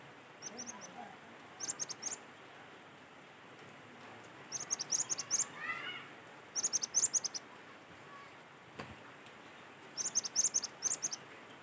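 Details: Cinereous tit song from nature, played to make other birds sing. Short clusters of rapid, high, ringing notes repeat every two seconds or so. A few softer, lower rising whistles fall between them.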